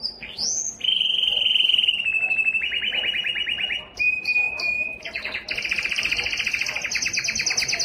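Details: Belgian canary giving its loudest song to attract females for breeding: a rising whistle, then long fast rattling trills at mid pitch, a brief pure note, and a higher buzzy rolling tour to the end.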